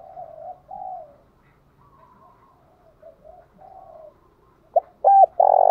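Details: Soft, distant spotted dove coos from several birds, then a loud close phrase of short notes and a long coo from a dove used to provoke wild doves into calling.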